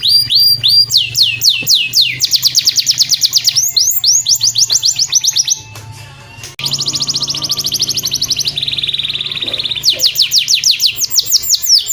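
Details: Canary master song played daily to get other birds singing: loud, clear rapid trills of rising whistled notes repeated in long rolling series, with a brief pause mid-way and a steady buzzy trill later.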